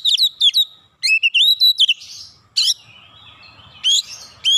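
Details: Energetic gacor-style oriental magpie-robin song used to provoke other magpie-robins into singing, with a run of sharp, bouncing whistled notes, then a pause, then loud buzzy chattering bursts and a final whistled phrase.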